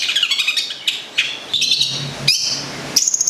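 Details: Local long-tailed shrike (cendet or plentet) from Gedong Songo, Central Java, a kept songbird; high varied chirps and short whistled phrases in quick bursts, ending with bright sustained whistles, over a steady low background hum.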